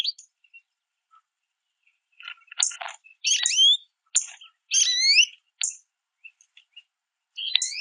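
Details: American goldfinches at backyard feeders, making varied calls while eating: clusters of sharp rising and falling chirps and clicks, loud at times, separated by short silences.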